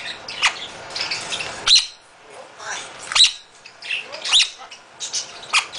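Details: A male half-moon conure in a bird rescue, described as very loud most of the time, gives harsh, high screeching squawks in irregular bursts with short gaps of quiet between them.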